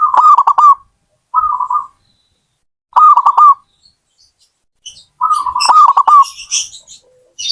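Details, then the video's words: A zebra dove sings stuttering cooing phrases of quick notes every few seconds, with a softer short coo between them. Near the end a burst of high chirps from another bird overlaps. "Suara burung perkutut"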